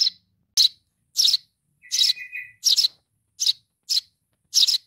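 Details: Baby sparrow begging its mother, with insistent high chirps about every half second and a short, lower buzzy trill cutting in near the middle.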